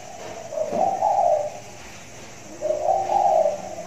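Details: Spotted dove with a big voice, calling from a hanging cage during the rainy season: two deep, mellow coo phrases about two seconds apart, each a soft rising then level hollow note.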